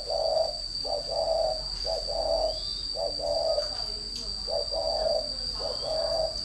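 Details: Decoy spotted dove cooing: repeated two-part phrases, a brief note followed by a longer hollow coo, about once a second, with a steady high electronic whine behind.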